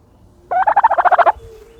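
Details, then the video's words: Turkey dust bathing in dirt, giving one rapid rattling gobble of about ten quick pulses lasting under a second, then quiet. "the special noises of a turkey bathing in dirt"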